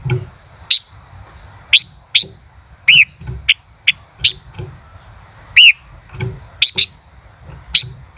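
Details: Male common rosefinch song of spaced, crisp high chips with two curving whistled notes, one near three seconds and one near five and a half, over a faint continuous tone.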